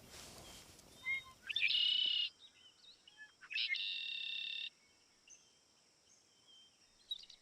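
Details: Red-winged Blackbird in the swamplands of Georgia's Altamaha River Basin gives two harsh, buzzy trills, each opened by a few short clipped notes, over a faint steady high hiss from the swamp.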